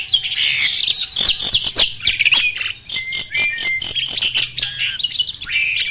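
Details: Pumping display song of a mature male Asian pied starling at breeding peak, a caged bird: a nonstop jumble of buzzy chatter, high squeaks and looping whistles with rapid clicks throughout.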